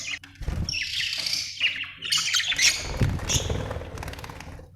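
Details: Budgerigar chattering in a dense, noisy run of scratchy chirps and harsh squawks, mixed with low rumbling background sound.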